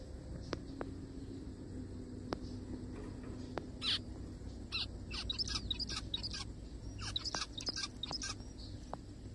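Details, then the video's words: Zebra finch in a forest, scattered clicks at first, then a busy burst of rapid nasal chirps and short squeaky notes through the second half. "zebra finches sounds"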